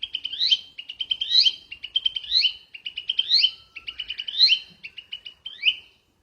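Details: In the wild, a flycatcher delivers a rapid, continuous run of chirps broken by repeated upslurred whistles roughly once a second, lively and high, with no other sounds.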